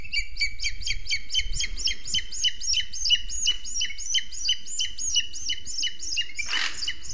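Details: Booted eagle at its nest in a Scots pine in Sierra de Guadarrama National Park, Spain, the female feeding a chick only hours old while the male brings prey; rapid high piping notes repeated about three per second, with a brief louder burst near the end.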